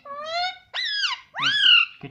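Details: Talking pet parrot indoors gives three clear voiced syllables, the first steady and slightly rising, the next two sweeping up sharply then levelling, each about half a second with short pauses between.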